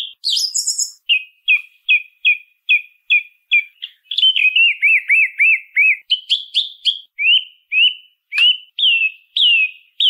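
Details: Song thrush repeating itself: a high twittering start, then a short whistled note sung about six times. A slurred phrase is then given several times over, before further varied whistles repeated in pairs.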